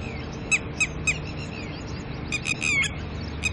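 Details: Red-wattled lapwing alarm at a human intruder near its chicks, early morning: three spaced sharp notes about a quarter-second apart, then a tighter run of shrill calls with a slurred one, over steady low noise.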